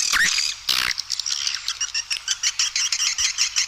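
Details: Swiftlet lure call played to draw edible-nest swiftlets to feeding areas and flight paths: an opening rough burst, then rapid high chirps and twitters pulsing in quick, evenly spaced clicks toward the end.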